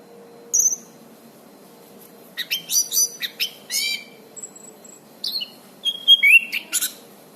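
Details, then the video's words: Orange-banded thrush singing prolifically, used as a master and therapy recording for birds that have stopped singing. An isolated high note, then bursts of chattering notes, a thin whistle, and bright slurred whistled phrases toward the end. "suara anis cendana gacor"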